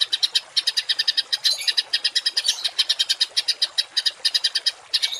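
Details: Songbird giving a harsh 'tembakan kasar' masteran song, used to train cage and contest birds: fast bursts of rough, buzzy notes, about eight each second, in short runs with brief gaps.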